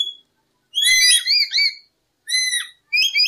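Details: Lory calls for luring birds: a loud cluster of rippling shrill whistles, followed after a pause by shorter two-note whistled phrases.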